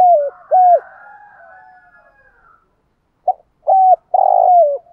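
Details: Spotted dove cooing in the morning: two hollow coos falling at the end, a pause, then a new phrase of a short note, a coo and a long pulsing coo, with no other sounds.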